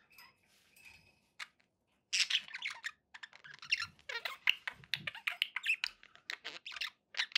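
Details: Pet budgies in a rising flurry of rapid clicking, ticking and scratchy chirps, starting soft and sparse and growing into busy, crackling chatter.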